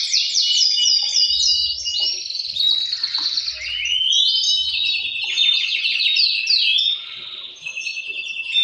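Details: Several male canaries singing back and forth, a leading male answered by others; busy trills, chirps and sweeping whistles, occasional low thuds, said to excite birds into breeding.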